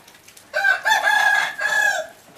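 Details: Captive yellow hybrid red junglefowl rooster crowing: a loud, harsh, three-part crow lasting about one and a half seconds, with a short opening note, a long sustained middle phrase and a falling final part, in a quiet setting.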